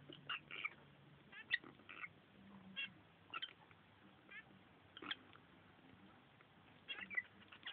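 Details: A pet pair of lovebirds, female and male, fooling around at their nest: scattered short, scratchy chirps and squeaky notes come at uneven intervals, fairly soft, with a faint low hum in the room.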